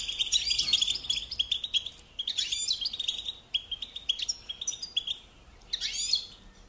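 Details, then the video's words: Goldfinch song in lively bursts of bright, tinkling twitters and quick slurred notes, separated by short near-silent gaps. "Supporting and Singing Along with Goldfinches"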